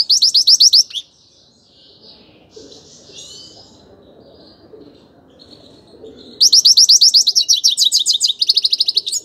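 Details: A grey-crowned goldfinch opens with a second of rapid, shrill twittering, drops to soft, scratchy subsong for several seconds, then bursts back into loud, fast, buzzy trills and chatter.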